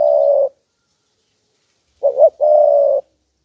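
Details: Decoy spotted dove cooing to draw out wild doves, its phrase a long even coo, a pause, then two quick rising notes and a drawn-out steady coo, in quiet surroundings.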